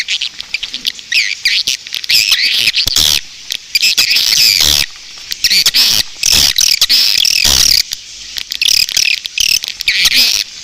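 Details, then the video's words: Swiftlet roosting call, used to attract swiftlets: dense, continuous high twittering and buzzy chirps, with rapid overlapping trills and brief gaps in places. "Suara walet inap"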